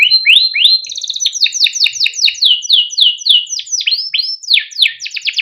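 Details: Canary song serving as a master for young canaries; steady series of loud downslurred chirps about four per second, with a brief fast trill and a final quick burst.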